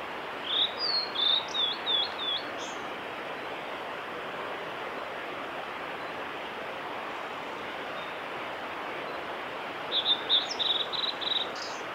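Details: Male blue-and-white flycatcher singing along a forest road in Japan on 18 April 2021: two phrases of clear, high whistled notes, a quick descending run, then a short burst, over a steady rushing background.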